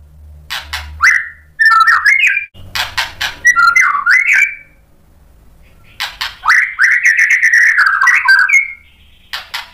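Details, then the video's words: White-rumped shama song meant to provoke other shamas: short whistled slurs and rasping bursts, a quiet pause, then a long warbling whistled phrase, over a soft low hum. "MURAI BATU GACOR MEMANCING EMOSI jadi NYAUT BUNYI BONGKAR MATERI ISIAN | PANCINGAN MURAI"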